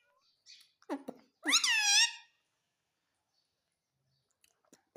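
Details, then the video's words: Ringneck parakeet saying "mummy": a few short clicks, then one loud, strained harmonic phrase bending downward, followed by near silence with faint ticks. "Parrot Sound _ Mummy Bolne Wala Parrot _ Talking Parrot _ Ringneck Parrot"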